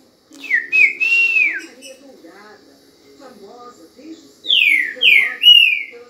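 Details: Green-winged saltator in full song: a bright whistled phrase with a falling end, a quiet pause with soft low sounds, then three more loud descending whistles in quick succession.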